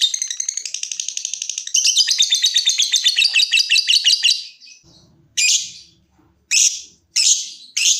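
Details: Pet lovebird trilling in the ngekek style: a quick pulsed chatter that grows louder and denser after two seconds and runs past four seconds, followed by a faint low rumble and several separate harsh high squawks.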